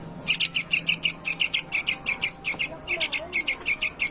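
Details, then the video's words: Yellow-vented bulbul, described as superior breeding stock and singing very actively, giving a fast, steady series of short, bright chattering notes, several per second throughout, over faint background hum. "burung trucuk gacor banget"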